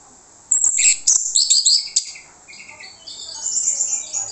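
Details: Lure song of an orange-headed thrush meant to draw replies from other birds: a dense, varied run of bright whistles and high twittering notes, rising and falling without pause for several seconds.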